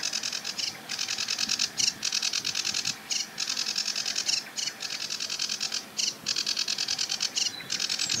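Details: Sedge Warbler singing from a treetop on the edge of a marsh with a reedbed: a continuous fast chattering stream of high, scratchy repeated notes, broken by brief pauses, with faint low background rumble.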